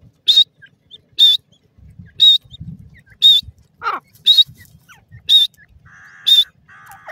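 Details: Grey francolin, the desi teetar of Sindh: loud, clear whistled notes, each with a short wavering tone, repeated about once a second, seven in a row. Lower, buzzy notes come between them, with faint rustling underneath.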